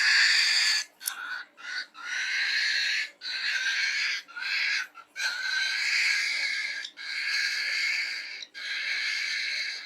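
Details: Falk bird making unusual sounds likened to a pig: many choppy, raspy, hissing bursts of uneven length over ten seconds, with a few thin squeaky notes mixed in.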